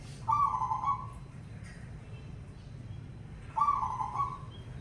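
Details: Perkutut, the zebra dove, singing to make other doves answer: two brief, mid-pitched purring coo phrases about three seconds apart over a quiet background hum.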